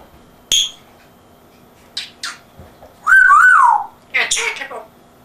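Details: Captive African grey parrot with an English accent, indoors, imitating household sounds: a sharp click, brief breathy syllables, a loud wavering whistle, then a harsh squawky word-like burst.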